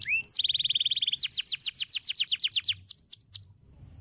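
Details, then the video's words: Canary long roll song for tutoring other birds: a rising whistle, a rapid steady buzzy roll, a series of about a dozen sweeping downward notes, then thin fading slurs. "MASTERAN KENARI ROOL PANJANG"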